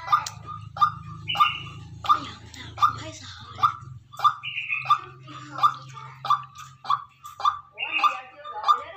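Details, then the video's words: Decoy white-breasted waterhen calling in natural fashion, a rapid train of around fourteen sharp, harsh notes about 0.6 seconds apart plus occasional higher buzzy notes, with a low humming drone fading out midway. "Tiếng quốc mồi kêu"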